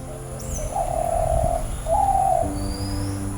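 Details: Spotted Dove, a resident of a home garden in Kadawatha, Sri Lanka, singing to call its mate. Two low, mellow cooing notes, the first long and level, the second shorter and slightly higher, over soft background music.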